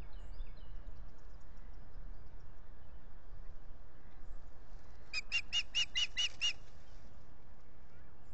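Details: Osprey pair mating at dawn at a lakeside nest at Salt Point, 9 April 2021, nest camera: after quiet background with a faint other bird at the start, a single fast string of about eight high, piping whistled notes.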